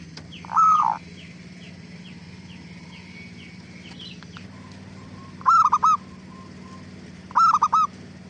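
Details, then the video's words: Zebra dove cooing played to provoke other doves into answering: a single low hollow coo, a quiet stretch with faint thin chirps, then two rapid clipped triple-note phrases about two seconds apart, with a steady background hum. "Suara Gacor Burung Perkutut Paling AMPUH pancingan BURUNG PERKUTUT CEPAT BIKIN NYAUT"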